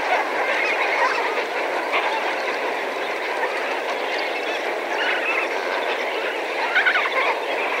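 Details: Huge Lesser Flamingo flock of several thousand heard from medium range, an unbroken babble of overlapping honks and gabbling notes with a couple of louder calls near the end.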